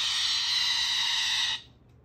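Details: Male Moluccan cockatoo (Cacatua moluccensis), a pet, gives one loud, harsh, raspy screech lasting about a second and a half, likened to a dinosaur roar, then falls silent.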